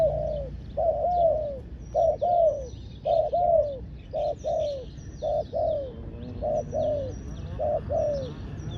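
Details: Dove calling as a decoy for wild doves, steady series of doubled coos, short then longer and downward, roughly one per second, with thin high twitters of small birds in the background.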